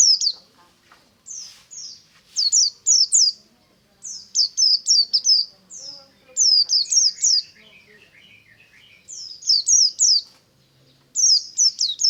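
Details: White-eye singing ngalas in the morning: repeated bursts of high, quick, downslurred notes in groups of three to five, with a brief lower twittering run midway.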